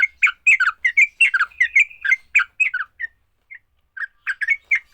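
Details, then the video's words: Sooty-headed bulbul in fighting song used to stir other bulbuls into singing: a dense burst of chattering, slurred notes for three seconds, a brief lull with scattered single notes, then the chatter resumes. "Kicau TRUCUK TARUNG, paling cepat bikin trucukan BUNYI."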